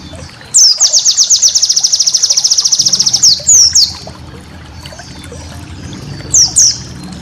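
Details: White-eye master song recorded for training cage birds, full of special rapid bursts: a long, fast, even trill of high sharp notes lasting over two seconds, then a few separated downslurred high chips.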